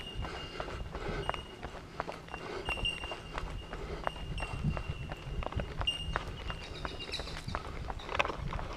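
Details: A chorus of bell miners (called Australian bellbirds) gives high, pure bell-like tinks, overlapping from several birds, heard among red gum trees around 20 km into a 50 km bush ultramarathon, over running footsteps and heavy breathing.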